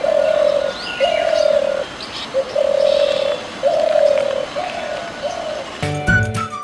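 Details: A Spotted Dove in Sri Lanka gives soft, low, hollow coos in a steady run of about six notes, each close to a second long; faint chirps from other birds and a brief clatter come at the end.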